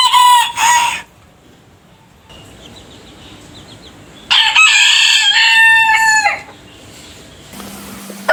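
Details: Rooster crowing: the tail of one crow opens, a faint distant call sounds in the quiet stretch, then a full, loud crow with a rising start and a falling finish.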